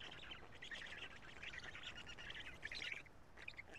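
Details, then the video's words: Nest of black storks at Karula, 2 June 2017, early afternoon, while the adult male feeds the storklets: dense rasping squeals and chatter, rising into a louder burst near the end. "Karula black Stork~Karl is feeding the Storklets~"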